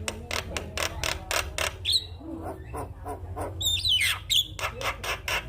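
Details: Morning song of a Javan myna, used to stimulate other mynas to sing: harsh clicking bursts at a brisk irregular pace, broken by short sharp whistles and a low hum underneath.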